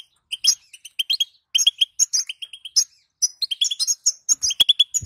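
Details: A female European goldfinch calls so that males will sing: rapid high twittering phrases, notes repeated in quick series, a clear pause midway and a sharp click near the end.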